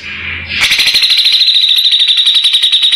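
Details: Grey-cheeked bulbul song used as tutor material for training white-rumped shamas, its voice described as rough; brief faint whistle, then a harsh, buzzy, rapidly pulsed chatter about three times a second, continuing steadily throughout.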